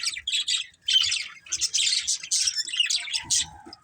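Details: Pet budgerigars chirp in fast, buzzy, high chatter that runs in uneven bursts, then fades into softer, lower twittering at the end.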